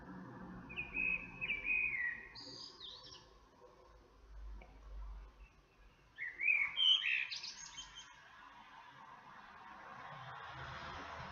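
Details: Common blackbird singing two separated bursts of fluted whistles and twittering notes, a pause between them, over a steady low hum and some background noise.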